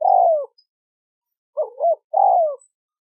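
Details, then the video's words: Brief spotted dove sequence: a long, gently falling hoot, a pause, a wavering double coo, then another long falling hoot, all in quiet surroundings. "Tiếng chim cu gáy có giọng gù hay nhất"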